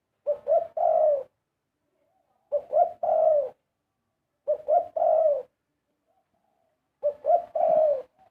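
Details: Melodious song of a Spotted dove: four phrases, each made of two quick low coos and then a drawn-out coo, spaced about two seconds apart with silence between.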